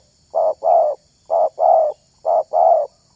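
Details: A spotted dove, its voice chosen for luring wild doves, repeats a short note followed by a fuller rounded coo three times, at a very regular pace of roughly once a second, in quiet surroundings.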